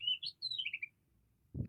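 An Oriental magpie-robin gives a quick phrase of clear, high whistles. It rises at first, then slides down in a run of slurred notes. A low thump follows.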